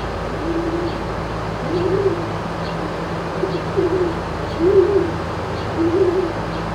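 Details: Rescued domestic turkeys in a barn at a farm sanctuary in Upstate New York, late morning on 25 June 2018: soft, low, rounded calls repeated about every second, over a steady droning hum.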